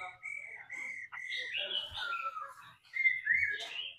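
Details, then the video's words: A laughingthrush sings steadily while a female calls to spur it on, giving a continuous run of sweet whistles mixed with fluid warbling and a few higher bright notes near the end. "Khứu mái ro kích trống hót căng hót hay"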